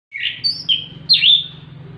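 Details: Orange-headed thrush (anis kembang) singing relaxed in the open, rolling ngeplong ngerol style: three loud, clear whistled phrases, slurred and sweeping up and down, the last rising sharply then falling, over a steady low hum.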